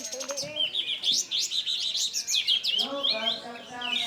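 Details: Bulbul (burung kapas tembak) in full, prolific song showing off its learned phrases: busy, high chattering twitters and quick whistled slurs tumbling continuously, while a man talks over the last second or so.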